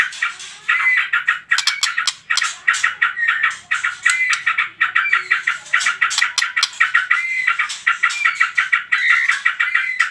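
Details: Shama song in the trotol style, a lure for prompting other birds to sing: quick pulsing rattles in regular bursts, each carrying a short clear whistled slur, repeated roughly every second.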